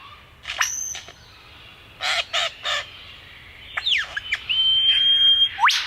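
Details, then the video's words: Male Superb Lyrebird singing while moving between trees in Australia: a few clicks, three rhythmic noisy bursts, then a long level whistle ending in a sharp upward sweep. "He's flitting between different trees singing."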